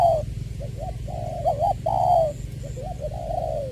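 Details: Spotted dove decoy of the 'Tieu' style from Tra Vinh, Vietnam, February 2021: a brief continuous cooing sequence, stretched falling coos broken by short rising double notes, over constant low hum.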